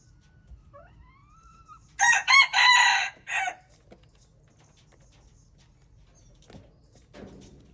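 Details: Red junglefowl, known locally in Hmong as txiv lau qaib qus, recorded February 26, 2025: one loud, harsh crow in four rapid bursts, preceded by a faint, thin, rising whistle from another bird and followed by soft rustling.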